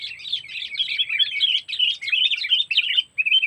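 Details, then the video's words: Sooty-headed bulbul calls used to lure birds for trapping, 'cengkeram' style from Lampung: dense, loud, bubbly chattering running almost continuously, with a short final phrase. "Pikat Burung Kutilang Cengkeram"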